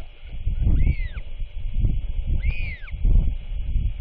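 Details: Royal albatross chick with its father, who arrived just before dark on 27 March 2024 to feed it; two arched, whistled calls falling at the end, over heavy low wind rumble.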